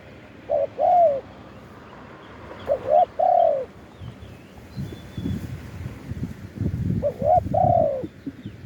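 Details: Spotted dove cooing in a live recording made to lure wild doves: three phrases of a quick rising note into a long bowed coo, over low thumping and rustling noise between calls.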